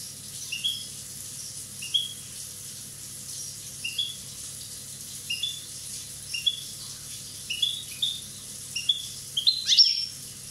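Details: A one-year-old Corsican European goldfinch repeating short bright chirps, about a dozen at uneven intervals that quicken toward the end, closing with a denser, higher twitter.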